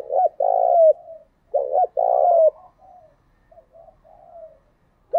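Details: Spotted dove cooing used to lure wild-caught caged doves into cooing. Loud phrases of a short coo then a long, gently falling coo repeat roughly every one and a half seconds, with softer coos between.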